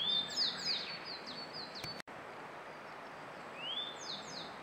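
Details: Grey bunting singing in May 2022, a few clear, high whistled notes with short sliding trills, over a steady background hiss.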